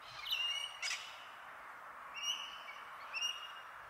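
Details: On a winter day in southeast Queensland forest, a male Australian king parrot calling out to a female, checking a tree hollow for nesting, gives three high piping whistled notes over bush hiss with a brief harsh squawk.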